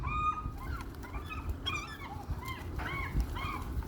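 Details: Several gulls fighting for food, giving overlapping harsh, squealing calls in quick succession. The arched notes rise and fall and follow one another every fraction of a second, over a steady low rumbling background.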